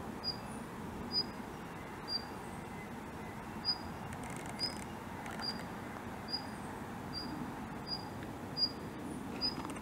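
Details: A tame male Daurian Redstart, regularly seen at this spot, gives thin, high, whistled 'hit' calls about twice a second over a low background rumble.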